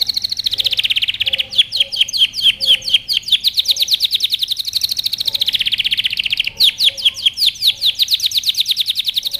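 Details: Canary delivering a loud training song of fast repeated downsweeping notes in shifting trills, with a brief rolling buzzy stretch and faint low background chirps.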